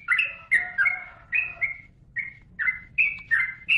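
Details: Yellow-vented bulbul song meant for training cage birds: bright, fluty, slurred notes delivered in separate short bursts, some dropping slightly in pitch, spaced about every half second after an opening flurry.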